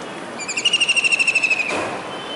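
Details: Kingfisher perched on a dish antenna atop a building in Surat, Gujarat, on a rainy July 2019 day, calling as if searching for another: one fast, even trill of about fifteen sharp, high notes, gently falling in pitch, over a soft background hiss.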